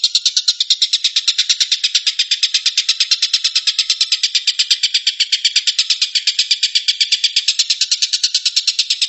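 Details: Collared kingfisher, locally tengkek buto, in 'tembakan' shooting song: nine seconds of quick, harsh, buzzy notes repeated about eight times a second in a long even rattle.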